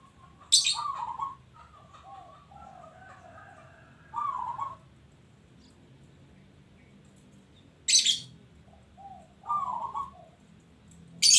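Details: Local zebra dove in active song. It gives soft, vibrating, bubbling coos, some in quick pairs, with long pauses between them. Loud, sharp, high chirps from another bird cut in three times.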